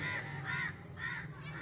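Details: A falconry tawny eagle gives three harsh, croaking barks about half a second apart, over a low background hum.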